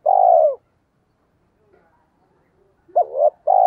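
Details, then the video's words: Spotted dove lure call, 'giọng thổ' voice, meant to set decoy doves cooing: a long mellow croon tail at the start, a quiet gap, then a wavering low note and another drawn-out coo. "tiếng cu gáy mồi, tieng cu gay kich boi nhanh noi hieu qua nhat"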